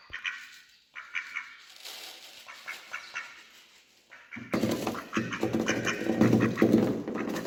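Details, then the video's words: Male and female ducks feeding together, some wary of the person feeding them: repeated nasal quacks, sparse at first, then a louder, busier burst of overlapping quacking and noise. "Quacking Sounds Of Ducks"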